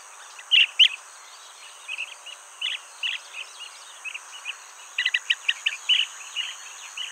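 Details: Blue-tailed bee-eater filmed around its nest hole with a Nikon D500; short, sharp chirps in loose clusters, some doubled or tripled in quick runs, over a steady high insect-like hiss.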